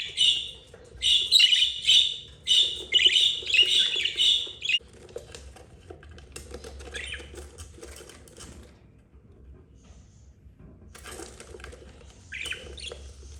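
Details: Budgerigar mother with four babies, two yellow and two green, eldest 32 days old; fast run of harsh chirps for about five seconds, then mostly quiet rustling with a few scattered calls.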